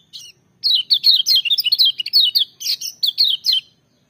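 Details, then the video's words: Clear, loud song of a lemon-bellied white-eye. After one short note comes a three-second stream of quick, high, ringing chirps, each slurring downward, evenly spaced and energetic. "Kecial Kuning joss gacor menggelegar tapi merdu"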